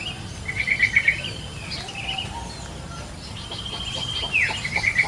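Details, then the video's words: Yellow-vented bulbul in the wild giving two bubbly, chattering phrases of rapid repeated notes, one early and one at the end, with thin whistles from other birds and constant insect hiss between. "SUARA BURUNG TRUCUKAN DI ALAM LIAR"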